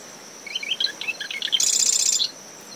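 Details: Early morning near a nest in dune shrubs, a marsh wren sings once: a series of quick chirped notes followed by a dense, high-pitched mechanical rattle lasting under a second, over steady cricket trilling and breezy surf.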